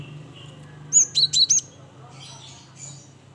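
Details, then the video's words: Cinereous tit, or gelatik batu, among a group of singing birds: four rapid, high, piercing whistled notes in a tight series, then fainter chirps, over a constant low mechanical hum. "Semua Burung Gelatik Ikut bunyi"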